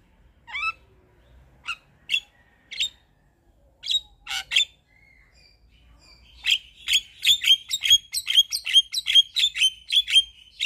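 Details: Javan myna in lively song full of 'isian' fill-in phrases that should set silent mynas replying; spaced sharp chip notes build into a fast, even series of high clipped whistles, about two per second.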